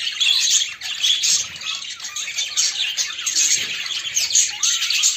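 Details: Pet budgerigars during courtship, female displaying to male: busy, grating chatter mixed with short squawks and thin whistled notes, steady and without pauses.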